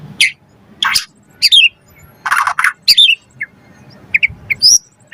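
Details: Varied white-rumped shama song meant to spur other birds to sing, mixing harsh rasping bursts with sharp high whistles and short clipped notes in irregular bursts.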